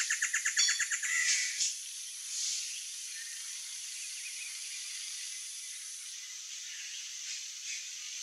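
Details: A great antshrike sings a quick, accelerating run of hooting notes that ends in a harsher, drawn-out note, a song given to establish territory and in courtship.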